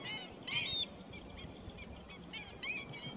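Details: A Pheasant-tailed Jacana, recorded 28 July 2021, gives two loud, nasal, mewing calls about two seconds apart, with fainter similar notes between them over a quiet outdoor background.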